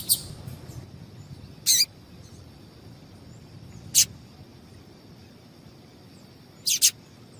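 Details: A female double-collared seedeater (papa-capim) gives four short, sharp, high chips at irregular gaps of about two seconds, used to stimulate male song, over a faint steady high whine and soft background rumble.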